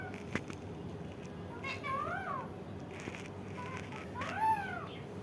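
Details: Indian ringneck parakeet making two drawn-out, arching, mewing calls, rising then falling, separated by a couple of seconds, fairly soft against a low room hum.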